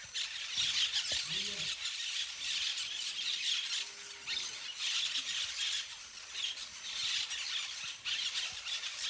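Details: Many parakeets playing in trees make a constant shrill, scratchy chorus, with a brief lower warbling sound early on and a faint drawn-out tone beneath.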